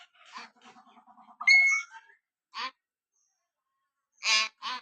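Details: Common hill myna imitating human speech, said to call out "Allah": soft stuttering chatter, then a loud whistled note with rich overtones, a short harsh burst, a pause, and two final rasping bursts.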